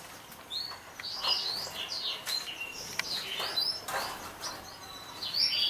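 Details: Champion Atlantic canary from 2014 singing high, quick chirps and short twittering phrases, with gaps and soft background rustling.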